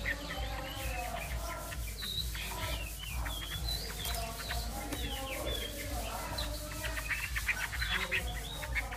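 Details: Continuous Chinese hwamei song of mixed whistles, short upslurred notes and sharp chips, rapid and varied throughout, with a constant low-pitched hum underneath.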